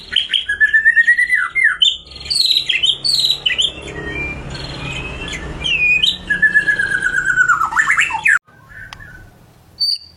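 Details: White-rumped shama singing a loud, lively gacor-style filling meant to stir silent birds into song. Bright whistled slurs and sharp squawky notes come in bursts over a rushing background hiss, with a sudden break near the end.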